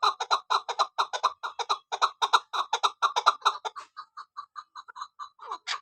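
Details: Female chukar partridge of the Kabuli chakor type gives a steady, rapid chuk-chuk series of about thirty clipped notes, fast and even at first, then slowing and thinning out, with one louder note at the end.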